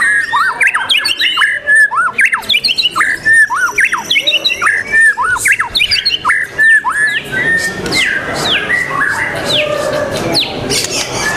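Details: Competition white-rumped shama on 12 December 2021 repeating short whistled notes that sweep up and down in steady series for about seven seconds, then a dense mix of other birds' calls and chatter.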